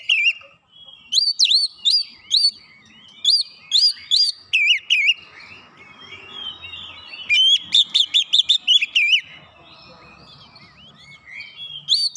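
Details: Kacer, the Oriental magpie-robin, sings hard as a lure and shows off its song material. Ringing whistles with swooping notes come in several loud bursts, including a quick run of staccato notes, with short quiet gaps and a faint hum.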